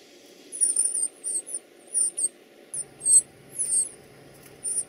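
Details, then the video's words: Baby birds begging while being fed: bursts of very high, thin squeaky chirps in short clusters about every half second to second, with quiet gaps between and a faint low hum beneath. "Feeding baby birds"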